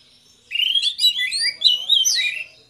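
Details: Orange-headed thrush, one of a pair, singing loudly in the 'ngeplong' style meant to coax others into song. A short, rich phrase of clear rising and falling whistles tumbles rapidly over two seconds.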